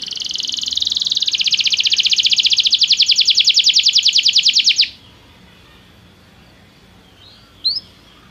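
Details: Belgian canary song meant as training for singing: a long, even trill of rapidly repeated high notes lasting about five seconds, then near silence broken by a single brief rising chirp.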